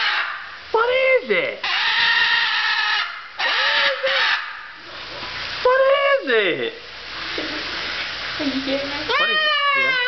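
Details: A happy umbrella cockatoo, going wild on a kitchen floor, repeatedly lets out loud, harsh screeches that swoop downward, in bursts separated by brief pauses. A final rising, wavering call ends it, while a person talks.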